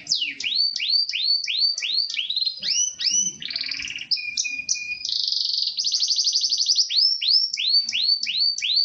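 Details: Crested corona Gloster canary in energetic full song: rapid repeated high upward-sweeping notes, then a harsh buzzy burst, a short steady whistle and a fast rattling trill, returning to quick rising chirps.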